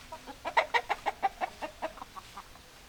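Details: Chicken clucking in a fast run of about a dozen clucks, loud at first and fading toward the end.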